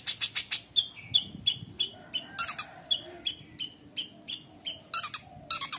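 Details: Long-tailed shrike singing a busy 'gacor konslet' song with mimicked phrases for training young birds: rough buzzy bursts alternating with short clear whistled notes, delivered in a steady fast rhythm with a low background hum.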